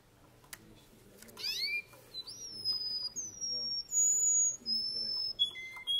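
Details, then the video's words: Male Russian canary singing: a sweeping upward slur, then a series of pure whistled notes at different pitches, each held under a second, with short gaps between them. "Russian canery male singing"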